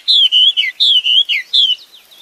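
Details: Clear whistled song of a wambi bird in the wild: bright, slightly falling notes given in short groups, each group ending with a quick downward slur, then fading.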